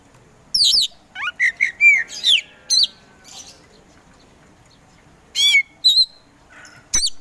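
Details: Kacer poci Oriental magpie-robin singing: scattered sweeping whistles and sharp upward slurs, a quiet gap, then a few more high whistled notes.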